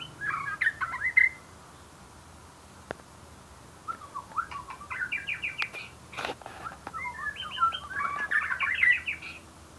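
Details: White-rumped shama singing: a bright phrase of rapid, varied whistles, then a pause and a longer run of quick, jerky whistled notes and short trills that grows louder toward the end.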